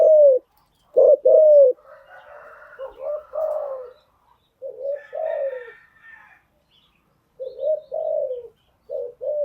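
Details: Spotted dove cooing used to train newly caught birds, short coos and longer falling coos in repeated phrases, partly overlapped by a burst of busier chatter and chirping from other birds midway.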